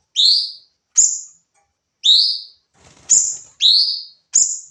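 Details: Sooty-headed bulbul singing in a training recording, firing off its song: short whistled phrases, each a high note dropping into a rising slurred note, repeated roughly every second with brief pauses.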